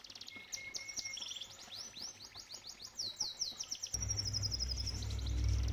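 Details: Canary singing near a koi pond: a held whistle, then fast descending chirps and rising slurred notes, followed by a long steady high trill as loud low pond water flow comes in.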